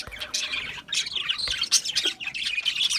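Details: Budgerigars squawk and warble in a lively tangle of harsh and whistled notes, short clear whistles standing out near the end.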